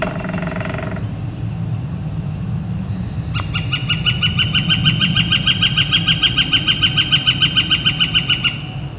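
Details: Northern flicker calling on a clear, warm late-April day: after a brief buzzy sound and a sharp tap, a steady rapid series of ringing notes starts, about three each second, continuing for five seconds over faint low background noise.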